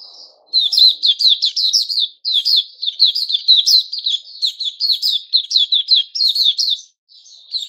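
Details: White-crowned shama kept as a songbird, in its new-feather season on 6 September 2021, singing a long unbroken stream of fast chattering, twittering high notes with brief gaps.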